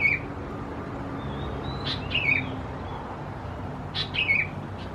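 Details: Sooty-headed bulbul chicks (Pycnonotus aurigaster thais) in Khao Yoi, Phetchaburi, Thailand, June; thin high squeaks and slurred falling notes come in small clusters roughly every two seconds, with faint soft whistles between and a low hum beneath.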